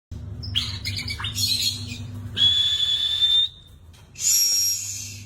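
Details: White-rumped shama song: bright, high whistled phrases with one long steady whistle in the middle, plus scratchy chirps and short squeaky notes over a constant low hum.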